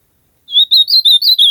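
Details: Ultramarine grosbeak (azulão) singing loudly: a clear series of warbled, slightly rising and falling whistled phrases, about six notes in quick succession, with no background noise.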